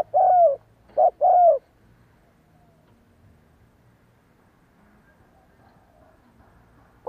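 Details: A spotted dove in kích bổi decoy training gives a short phrase of three rounded coos in the first second and a half. The rest is near silence with a faint low rumble.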